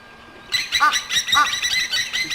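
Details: Egyptian geese at an African waterhole pan, adults guarding goslings, uneasy perhaps at a lion's scent or unseen movement; blacksmith lapwings may join. Harsh, loud nasal honks burst out in quick repeated runs after a quiet start.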